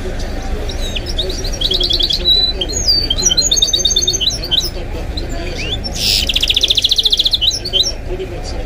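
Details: Goldfinch × canary mule, a kept hybrid bird, singing: bursts of high twittering and rapid buzzy trills, with slurred whistled notes between, the loudest trill near the end, over a steady low hum.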